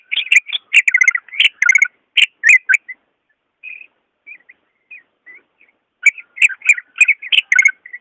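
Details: Lively song of a greater green leafbird, recorded to prompt lazy leafbirds to sing: dense bursts of high, chattering chirps, a quieter stretch of scattered soft whistles, then another fast, bright chattering phrase.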